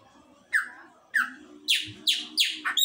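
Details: Singing Chopi blackbird indoors: two clear falling whistles half a second apart, followed by a quickening run of loud harsh descending notes, with a low background hum.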